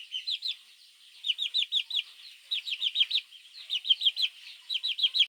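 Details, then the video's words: Young chicks calling their mother in the morning, recorded to lure mongoose; after a short lull, clusters of four or five shrill arched peeps repeat about once a second, crisp and strong. "Baby chicks chirping sounds | Suara Anak Ayam memanggil Induk - Suara Anak Ayam Pikat garangan"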